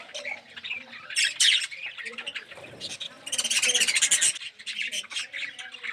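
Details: Captive budgerigar colony in an aviary, including red-eyed yellow birds; busy mixed chattering with scratchy squawks, a dense loud stretch of rapid pulsed notes in the middle, and softer low sounds below.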